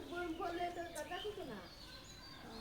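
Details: Indian ringneck parakeet talking, producing a wavering, voice-like string of syllables for over a second, then quieter sounds fading out.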